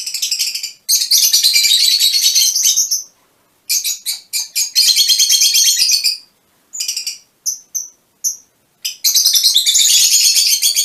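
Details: Mutation Fischer's lovebirds chattering almost continuously in long shrill, buzzy runs, broken by short gaps and a few brief high whistled notes before the chatter resumes.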